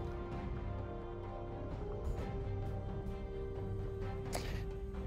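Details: Steady music with a sustained tone and a few sharp percussive hits, no animal voice.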